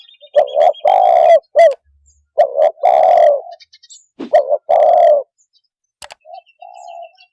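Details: Spotted dove calling to provoke other birds: repeated loud, overdriven coo phrases of short notes around a long rolling note, with faint high chirps from another bird and a soft lower coo at the end.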